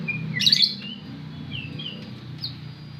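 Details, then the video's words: White-rumped shama delivering clear, pure whistles that slide up and down, broken by a brief harsh burst near the start, with a soft low hum beneath. "Terapi Burung Murai"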